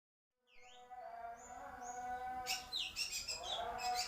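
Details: Young drongo calling: thin, high whistled notes dipping and rising in V shapes, followed by a rapid burst of harsh, scratchy chirps, all over a steady low humming drone.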